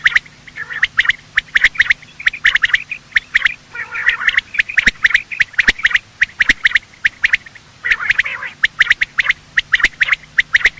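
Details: Morning calls of male and female quail used to attract birds for hunting: an almost continuous string of sharp, clipped notes in quick groups, broken by brief softer trills.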